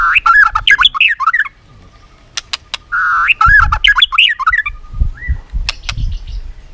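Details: White-rumped shama in competitive song, clicking and tail flicking: harsh, squawky, rapidly warbled phrases in two bursts, separated by a pause with a few sharp clicks and a thin rising whistle.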